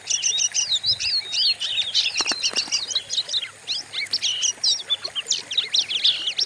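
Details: Oriental magpie-robin song used as a training lure for other birds, described as fierce and savage-sounding. It is a fast, unbroken jumble of high whistled notes, twittering runs and sharp upslurred chips. A faint low hum sits underneath.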